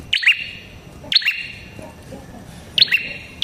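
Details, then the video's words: Lure song of a prinia, the red-headed prenjak: snappy high chirps each followed by a lower buzzy note, three bursts plus the start of a fourth, irregularly spaced, with soft background murmur. "Suara Burung Prenjak Kepala Merah Gacor"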